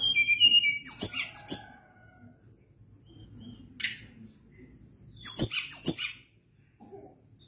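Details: Sunda blue robin with loud, clear phrases of high whistles that step downward, mixed with sharp chips, repeated twice with a quieter fragment between and near-silent background.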